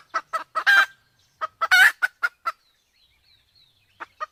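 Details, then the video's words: Male and female Sumatran junglefowl, the female in heat, used as a hunting lure: quick clucks with two loud grating squawks, then a long quiet gap before two last soft clucks. "suara ayam hutan Sumatra || jantan betina kombinasi betina birahi"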